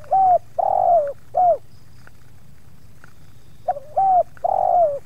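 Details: Lure spotted dove (tekukur) in Subang yard visited by two wild doves; repeated three-note cooing phrases, a bright short coo, a long slightly falling coo, then a clipped coo, repeating about every three and a half seconds.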